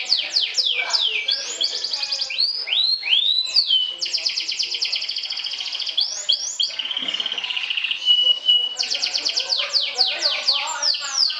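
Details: Atlantic canary, a champion trilling singer, sings a long phrase meant to provoke and overcome rivals. Quick falling notes and slurred whistles lead into buzzy rolling trills, a level whistled tone, and a final burst of rapid sweeping notes.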